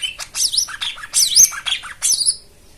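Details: White-eye (jomin) song meant to coax silent birds to sing: a brief burst of high, squeaky, rapidly modulated twittering phrases sweeping between high and very high pitch.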